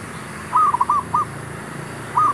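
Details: Zebra dove calling, used to lure wild birds during trapping: a staccato run of short mid-pitched cooing notes with a small rising lift, then another phrase starting about a second and a half later, over steady background hiss.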